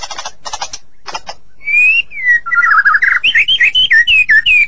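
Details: White-rumped shama song: after several harsh, scratchy bursts, a run of clear, varied whistled notes, some rising and some falling, delivered rapidly in quick succession.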